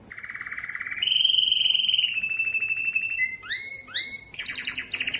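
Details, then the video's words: Yellow canary in song, moving from a low pulsed trill to a higher rolling tour, then clear upslurred whistles repeated twice before bright, rapid chattering phrases. "yellow canary singing"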